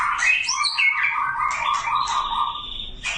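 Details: Magpie-robin male summoning a female for mating, giving clear whistled notes that slide and waver, with a long sustained whistle near the end and a sharp click as it closes.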